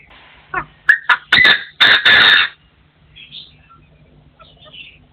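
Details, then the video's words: A partridge crows in forest: a quick upward note, then several loud, harsh, grating bursts in fast succession, fading into scattered faint chirps and a short closing call. "The latest sound of partridges in 2024 crowing"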